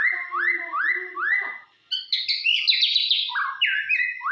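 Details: A white-rumped shama sings a lure song to rouse rival shamas. Three rising, swooping whistles repeat, then after a short gap come rapid, high, stuttering phrases and more slurred whistles.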